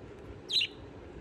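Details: A budgerigar eating spinach gives one brief, high, scratchy chirp lasting about a tenth of a second, over a low steady background hum.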